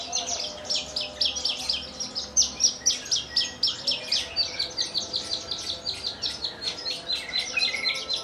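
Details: Caged Horsfield's bush lark native to Kulon Progo, one of a collection of over a hundred birds, singing in the Jambul style with fluttering wings: rapid, high, scratchy chirped notes about four per second, with a faint steady hum underneath.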